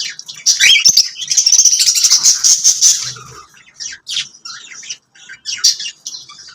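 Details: Lovebirds kept as pets, singing and chirping: dense high-pitched squeaky chatter with shrill buzzy notes and quick chirps, loud for the first three seconds, then broken into shorter scattered bursts.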